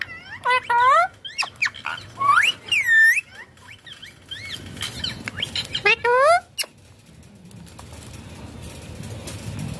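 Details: Rose-ringed parakeet talking as it plays on a mobile. Lively bursts of upswept, harmonic whistles and chirps fill the first six seconds, then quieter rustling and faint background noise follow.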